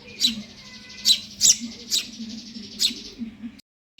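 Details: Hungry Eurasian tree sparrow chick: six buzzy, rasping begging chirps at irregular intervals over a low hum, ending abruptly in silence.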